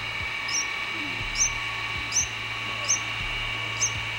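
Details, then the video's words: Little bulbuls visiting as guests, giving short, high, sharp chirps repeated about every three quarters of a second over steady background hum and low clicks. "Our guests, the little bulbuls"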